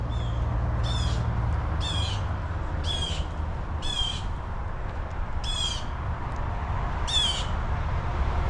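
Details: Blue jays screaming during a hike on a trail at River Bend Nature Park, Ormond Beach, Florida, beside the Tomoka River: seven harsh, raspy calls about once a second, over heavy low rumbling noise.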